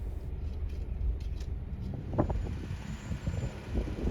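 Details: Low rumbling vehicle noise with uneven knocks and thumps, no animal voices heard.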